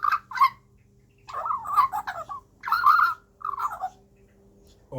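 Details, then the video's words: A young Australian magpie, one of a family of three that visits daily, gives four bursts of gurgling, warbled chatter over five seconds while a person talks to it, with a steady low hum. "Chatting about jobs, call centres and general bird stuff with a baby magpie"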